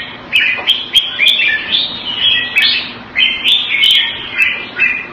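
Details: A red-whiskered bulbul, caged and kept in the Thai manner in Singapore, February 2018, delivers short whistled, slurred phrases in bursts separated by brief gaps, with crisp ticking notes scattered through.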